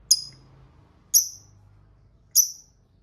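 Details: Lovebird used as a lure to draw rival lovebirds into answering ngekek calls: three short sharp high chirps spaced about a second apart over faint low hum.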